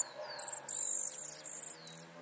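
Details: Flycatcher nestlings begging: faint, very high, hissing, buzzy calls. A short burst is followed by a sustained stretch of about one second, then a few softer trailing notes.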